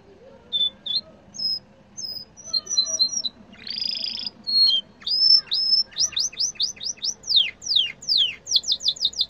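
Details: Yellow canary singing: scattered short high whistled notes and a brief buzzy burst, then a quickening series of steep downward-sweeping whistles repeated in rapid rhythm over faint low background hum.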